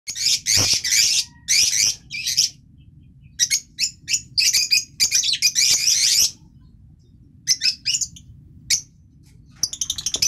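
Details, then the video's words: Green masked lovebird giving bursts of shrill, high-pitched chattering chirps, with loud harsh squawks around one second, then rapid clusters of short sharp notes separated by brief pauses, ending in quick repeated chips. "green personata (african lovebirds)"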